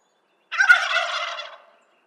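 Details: Wild turkey of eastern North America giving one loud, rapid, rattling gobble of about one second, a burst of throaty notes that quickly fades, with no other sounds.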